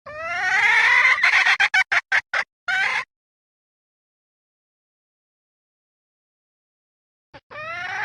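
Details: Female red junglefowl calling to attract wild junglefowl, one long rasping squawk breaking into a quick series of about six short clucks, then silence before another squawk begins.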